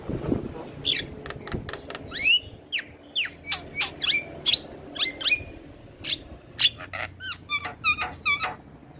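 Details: Black-winged starling singing actively while head-bobbing: a rapid run of sharp clicks and slurred, upswept whistles in quick bursts, repeated for several seconds over faint background hum.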